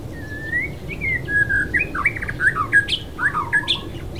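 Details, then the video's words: Non-native white-rumped shama (Copsychus malabaricus) at West Loch Shoreline Park, Pearl Harbor, Oahu, Hawaii, singing a rich, varied run of clear whistles, slurred notes and quick chirpy phrases without pause over a low hum. "White-Rumped Shama, Copsychus malabaricus"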